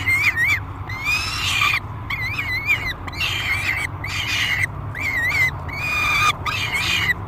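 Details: Loud begging screams from a peregrine falcon during feeding at a nest box, Great Spirit Bluff, July 3, 2021: rasping, rising-and-falling wails repeated roughly once a second, each burst rich and harsh, with a low background hum throughout.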